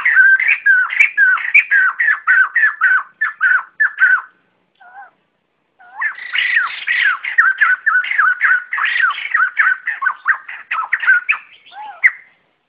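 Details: White-crested laughingthrush flock call, recorded free of background noise and used as a lure for trapping or training cage birds: dense runs of loud, ringing whistled notes rising and falling rapidly, a short pause midway, then a second long chattering burst.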